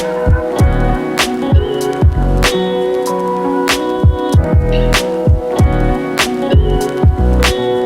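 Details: Instrumental music with a steady beat of sharp percussive hits about every second over sustained tones; no animal voices are heard.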